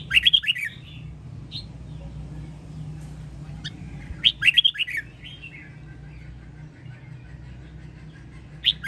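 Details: Caged red-whiskered bulbul from Sông Kon, Quảng Nam, Vietnam, used as a training recording for cage birds: two bursts of quick, rich warbled phrases a few seconds apart, sweeping between mid and high pitch, over a low steady hum.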